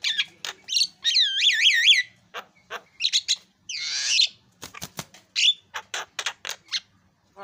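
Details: Javan myna in energetic song: a wavering, warbling whistle, then a jumble of clicks, harsh squawks and brief whistled notes in quick, irregular succession.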